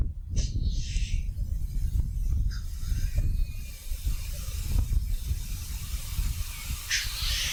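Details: Black grouse at a lek in North Wales giving sharp, broad hissing sneezes, one near the start and another near the end, over heavy low wind rumble.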